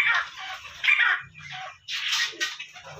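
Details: A trained grey francolin (teetar) gives loud, harsh, shrill bursts, about four in three seconds, the last ones louder, over a faint low hum.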